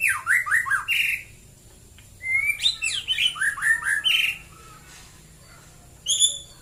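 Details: Morning song of a white-rumped shama, loud bursts of rapid down-slurred whistles and sharp high notes in two bouts separated by a pause, then a final high rising note.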